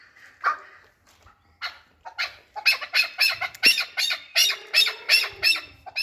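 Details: Chukar partridge at Qabodiyon, Tajikistan: scattered calls building into a steady series of harsh, bright, rasping chuck notes, roughly three per second.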